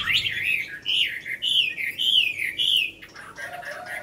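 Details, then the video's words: Caged Chinese hwamei of over five years singing: a series of clear, looping whistled phrases, each rising then dipping, about four in quick succession, followed by softer lower notes. "Họa Mi cb9016 hơn năm lồng hót hay"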